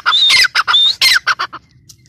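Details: Grey francolin giving a short burst of shrill, whistled notes that trail off into a few softer squeaks.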